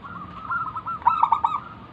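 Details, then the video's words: Brief snatch of a local wild zebra dove lure song: a soft rolling trill followed by a quick series of four loud, clipped coo notes. "burung perkutut lokal Gacor manggung - pancingan pikat paling Ampuh mengundang bunyi"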